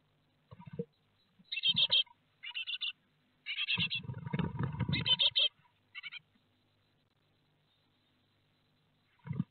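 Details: Great tits at a nest box in Théding, France, on 12 May 2021, during a morning of fledging: buzzy, clipped call bursts in short runs, with a low rumbling of movement around the nest in between.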